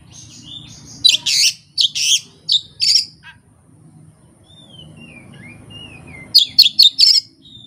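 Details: Kacer, the Oriental magpie-robin, sings its repertoire with no tutor or rival bird. Loud rasping chirps repeat in a first burst, soft sliding whistles follow, then a fast cluster of sharp high notes.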